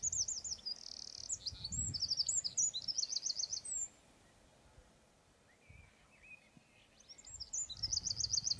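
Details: A high, rapid trilling song of the Eurasian wren, with buzzy rattles, breaks off near four seconds; after a quiet gap with a few faint notes, another fast trilled phrase begins.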